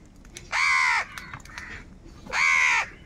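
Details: A crow calling angrily for food gives two long, harsh, drawn-out caws, each about half a second, separated by a quiet gap with faint distant calls.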